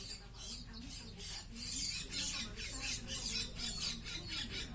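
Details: Hungry lory calling with harsh, broadband squawks repeated about twice a second in an uneven rhythm, with faint low voices in the background.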